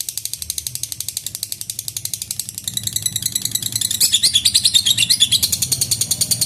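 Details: Lovebird in a sustained ngekek trill meant to set off rival birds: ratchet-like clicking pulses start softer, then swell louder and denser midway, continuing as a rapid high chatter.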